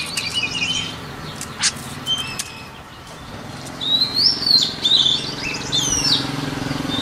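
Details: A white-rumped shama sings for voice training: scattered short whistles early, then a lively burst of high, twisting whistled notes in the second half, over low background rumble and a few sharp clicks.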